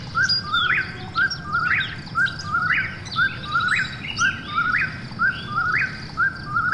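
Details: At night an Eastern whip-poor-will repeats its emphatic rising phrase about every second, while another whip-poor-will calls at a higher pitch in overlap; quiet low-frequency hum underneath.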